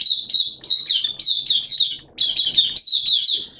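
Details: Caged Oriental white-eye kept as a hobby bird, singing in wet, erratic weather on 11 September 2022: fast, high, twittering warble of slurred chirps, a continuous run of about two seconds, a brief pause, then another rapid burst.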